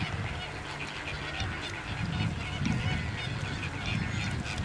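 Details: Demoiselle cranes at Slimbridge give harsh, honking calls over a dense, continuous murmur of bird noise, with faint human voices in the background.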